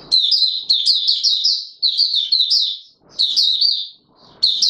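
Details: Oriental white-eye singing in courtship mode on 25 January 2022: rapid strings of sweet, high chittering notes rising and falling in tight bursts, with faint low rustles between phrases.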